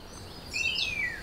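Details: Male Long-tailed Manakin in Costa Rica, one of a displaying pair at a lek, giving the 'waanh' contact call that tells the other where it is: a single nasal, high note slurring slowly downward over about half a second, against faint background hiss.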